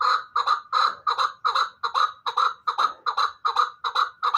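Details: Captive hybrid fighting chukar partridge giving a sustained series of loud, gravelly chuk notes. They repeat evenly about two and a half times per second with a slightly rasping tone throughout.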